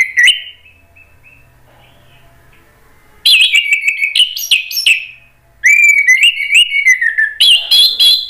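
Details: Orange-headed thrush song used to goad other thrushes into answering: an opening whistled note, a pause, then two long loud bursts of rich warbling with fast stepping whistles and sharp high chips.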